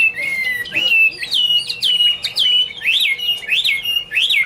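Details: A Chinese hwamei (Garrulax canorus) singing clear, ringing whistled phrases, each note sliding down then up, repeated roughly once a second with short pauses between.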